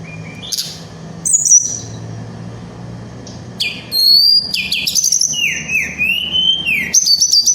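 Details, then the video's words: Snowy-browed flycatcher in full song, used as a lure and tutor to provoke other flycatchers. Scattered high whistles open, then a dense burst of sharp notes, falling slurs and thin high trills, over a steady low background hum. "Burung Tledekan Gunung Gacor Ngerol Nembak"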